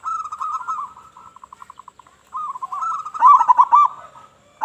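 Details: Zebra dove of local type with a loud voice, luring other doves: rolling cooing trills that fade into a string of soft clipped notes, then a louder accented burst.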